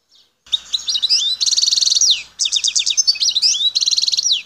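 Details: Wild Algerian European goldfinch from Bouthelja, El Tarf, Algeria, delivering continuous bright song: rapid liquid twitters, sharp descending slurs and repeated rattling buzzy trills, loud and close with no other sounds.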